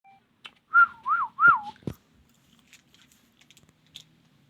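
A ringneck gives three clear, mid-pitched whistles, each swooping up and down, in quick succession, then a sharp knock and faint clicks in a quiet room.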